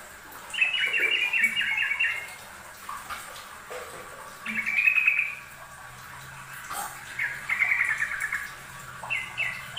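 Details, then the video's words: Yellow-vented bulbul in a training master recording, energetic bubbly phrases of rapid warbled notes that come in several bursts, separated by brief pauses, over a faint steady background hiss. "MASTERAN TRUCUKAN RAJIN BUNYI || kicau burung trucuk rajin bunyi"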